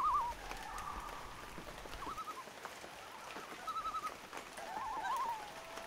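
Several short bursts of quavering, wavering loon notes at a mid pitch, spaced a second or two apart, over a steady patter of light rain.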